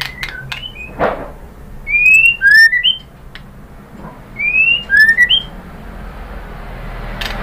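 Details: White-rumped shama song meant to prompt other birds to sing: two short sets of rising whistled slurs separated by a pause, with scattered clicks over a steady background hiss.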